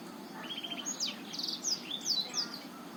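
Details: Botswana-type black-throated canary singing to stimulate a quiet male: a soft buzzy trill opens, followed by bright rising and falling whistled notes given in quick succession.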